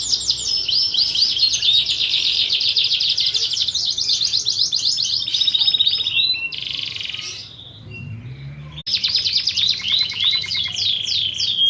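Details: Fighting canary song used as a training recording for other canaries: fast buzzy trills and rapid repeated notes high in pitch, a brief quieter break with lower rolling notes near the middle, then the rapid trilling resumes.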